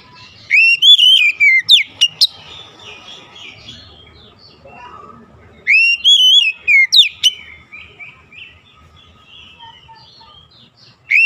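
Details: Oriental magpie-robin lure song for getting reluctant birds to sing: two loud phrases of slurred whistles and sharp clipped notes about five seconds apart, with a faint scratchy warble between them.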